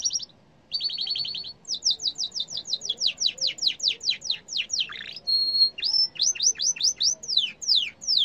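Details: Yellow canary song: a rapid trill, then a long run of descending whistled sweeps repeated several times a second, a brief buzzy burst, a steady held whistle and more sharp downward slurs.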